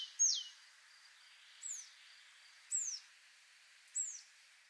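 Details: Willow tit song of low variability: four clear, high whistled notes, the same descending note repeated, each sliding downward a little over a second apart, over faint background hiss.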